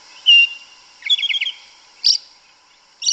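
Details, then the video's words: Sabiá una (yellow-legged thrush) singing in the forest in Brazil, canto mateiro style: one short whistled note, a quick trill of four notes, then two brief high bursts. "Sabiá Una cantando no mato. Lindo canto mateiro da sabiá preta"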